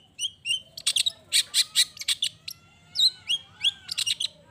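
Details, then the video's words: Long-tailed shrike in a busy mix of harsh rasps and quick upward-flicked chirps, repeated rapidly, used to provoke other shrikes into singing; faint bird whistles behind. "Cendet Gacor Pagi Siang Sore...Merangsang Emosi Cendet Manapun Agar Cepat Nyaut Emosi Dan Ikut Bunyi"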